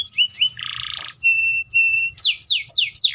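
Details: Canary giving short chirps, a coarse buzzy burst, two flat whistled tones and then loud downward-sweeping notes about every quarter second.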